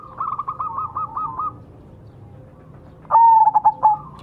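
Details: Zebra dove of the Majapahit perkutut variety used as a lure: a quieter series of quick stuttering coos, a pause, then a loud sustained whistled note breaking into rapid clipped coos.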